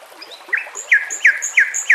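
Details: White-rumped shama from a training master recording with nature sounds and flowing water: short down-slurred whistled notes repeated four times, about three per second, with faint higher notes between them.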